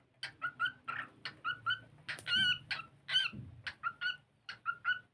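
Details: Singing cockatiel at play, giving rapid chirping notes about once a second in groups, with a couple of longer raspy warbles in the middle and a low hum underneath.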